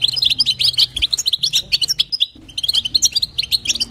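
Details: Female European goldfinch calling to stimulate a male, local bitbita and sitsita calls: sharp, bright twittering notes in quick succession, a brief hush just past two seconds, then more chirping.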